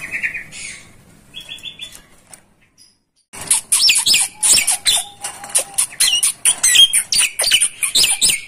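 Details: Javan myna song used as a tutor recording for training birds: after a few whistled trills and a short silence, a fast, dense run of sharp chips, squeaks and bent whistles, mixed harsh and clear notes.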